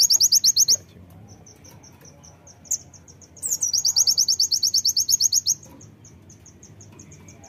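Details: High, rapid song of a fighter brown-throated sunbird, used to provoke birds to sing: a short burst of sharp notes, soft ticking, then a long run of about twenty quick repeated piercing notes, more ticks after.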